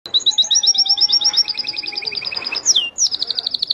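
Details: Canary singing a rapid, varied song: long trills of high repeated notes, a lower rolling trill beneath, then a sharp downward-sweeping note and another fast trill, no other sounds.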